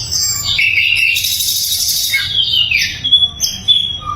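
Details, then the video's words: Sikatan londo flycatcher in full song, recorded as training material for murai and other songbirds: high rasping twitter with a downward-sliding whistle, then short sharp chirps. "SIKATAN LONDO GACOR - SUARA LANTANG & SUPER JERNIH"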